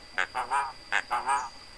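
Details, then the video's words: Javan myna, a loud-voiced bird that mimics human speech such as greetings and coughing, giving six short nasal, voice-like syllables in two groups of three. "BURUNG JALAK BISA NGOMONG,UCAP SALAM BATUK DAN LAIN-LAIN"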